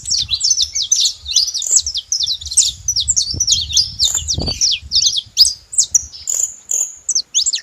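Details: A flock of saffron finches chattering, dense bright chirps and quick twitters running on, thinning toward the end, with a low thump midway.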